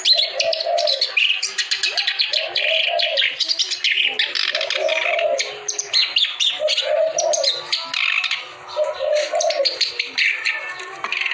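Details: Energetic song of a clamorous reed warbler (kerak basi): continuous rapid, scratchy chatter and sharp high chirps, with lower gurgling phrases repeating roughly every two seconds underneath.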